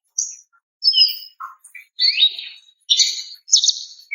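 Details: Female greater green leafbird calling to a male: scattered high chirps and buzzy slurred notes in short separate bursts, some sweeping downward, with brief silences between.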